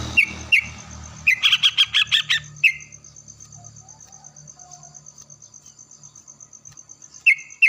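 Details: Yellow-vented bulbul singing in the morning, answering another bulbul: short bubbly phrases, then a burst of rapid rattling notes, a quieter pause, and more bubbly phrases. A faint steady high ticking continues throughout.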